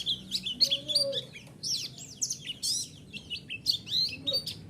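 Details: Bright, rapid white-eye twittering used as a lure to provoke a response. High, slurred whistles and chips tumble together in quick, uneven phrases, with a soft low hum in the background.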